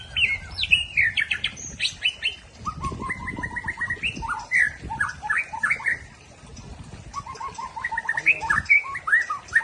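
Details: Aceh white-rumped shama singing a rough 'trek kasar' style song: varied bursts of quick whistled and chattering notes, rising and falling, delivered in phrases with short pauses between them.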